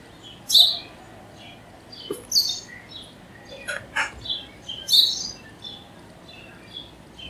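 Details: House sparrow chirping: short bright chirps repeated at irregular intervals, loudest near the start and middle, with a few sharp clicks and faint background twittering.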